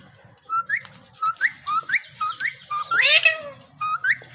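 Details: Pet male Indian ringneck parakeet talking while having fun: a string of short rising whistled phrases, each repeated roughly every half second, with a louder, harsher squawky burst near the three-second mark.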